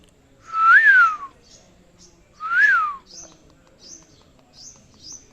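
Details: Pet parrot giving two loud whistled notes, each rising then falling, about two seconds apart, followed by several faint, short high chirps.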